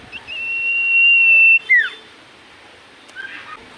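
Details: Common iora in full voice, singing to provoke other ioras to answer: one long, steady, high whistled note held about a second and a half, then a quick downward slurred whistle, followed by faint high notes.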